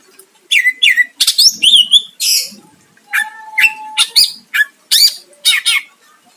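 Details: Greater green leafbird song meant to provoke a rival, with quick whistled slurs and harsh chattering phrases, then a steady thin whistle held about a second, followed by more sharp, rising notes.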